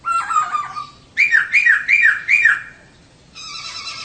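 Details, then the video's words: Song of a female poksay (laughingthrush) serving as a lure for males to sing actively: a drawn chattering phrase, four loud rising-falling burry notes, then a harsh buzzy tail. "Kicau Poksay Betina || Pancingan Untuk Poksay Jantan Supaya Gacor"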